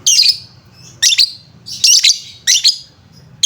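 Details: Lovebird sound used as a lure to make lovebirds sing: loud, harsh, shrill squawks in bursts roughly every half second, grating and high-pitched.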